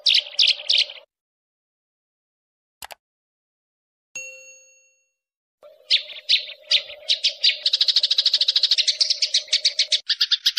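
Sparrow chirps in quick, bright bursts. After a pause and a single ringing chime, they build into a fast, steady run over a low, constant hum.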